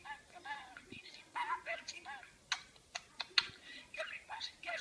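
A parakeet chatters in quick, high, speech-like phrases with rising and falling tones, broken by several sharp clicks and taps.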